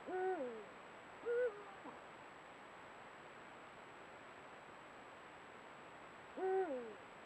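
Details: Eurasian eagle-owl pair at sunset recorded by camera trap; three hoots, two close together early on and a third after a five-second pause, each a steady tone falling away at the end, over a still, quiet background.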